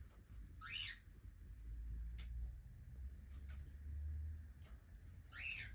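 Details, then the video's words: A young cockatiel gives two loud, screechy calls that rise and fall, about five seconds apart, with low rumbling and a few soft clicks between them. "Young cockatiel"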